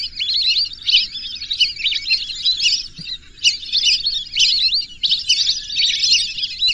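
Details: Thin, high whistled calls from several lesser whistling ducks pour out in dense phrases, pausing briefly around three seconds before the chatter resumes.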